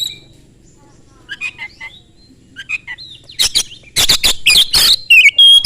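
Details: Oriental magpie-robin singing very fast as a lure to set other magpie-robins singing: soft paired whistled notes give way to a dense run of loud rasping bursts and sharp chattering, ending on a bright high whistle.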